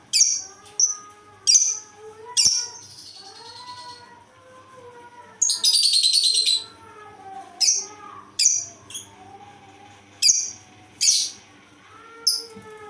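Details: Odd-sounding lovebird delivering scattered sharp, shrill chirps and one dense, buzzy burst midway, separated by pauses filled with soft wavering tonal sounds.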